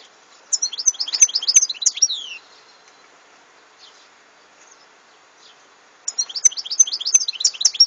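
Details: European goldfinch, 2014: a tumbling phrase of rapid twittering and buzzy descending notes, a long quiet pause of several seconds, then the twittering song resumes.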